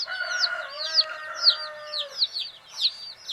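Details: Sleepy baby chickens chirp softly: a steady stream of thin, falling high peeps, several birds overlapping, with a faint sustained whine underneath.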